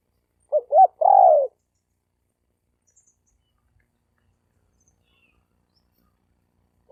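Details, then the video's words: Male spotted dove calling to attract females: one phrase of two quick notes and a long, falling coo near the start, then silence, with a clipped note at the very end. "Tiếng chim cu gáy trống kich mái"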